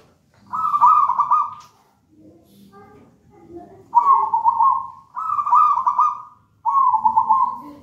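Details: Zebra dove of wild local stock, taken from a nest in a raja banana plant and kept as a singing model for other doves, giving four rolling, bubbly coo phrases of about one second each, with quiet low notes between them.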